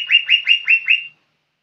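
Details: Young lesser green leafbird singing vigorously: five quick upslurred whistled notes, evenly spaced about every fifth of a second, then silence. No other sounds.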